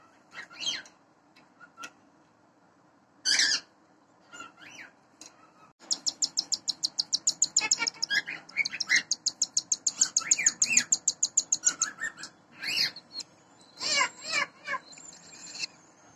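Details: Four cockatiel chicks, about 15 days old (hatched 16–21 May), from a pair's first breeding, beg with a fast, rasping run of high pulses while the mother feeds them; Cockatiel.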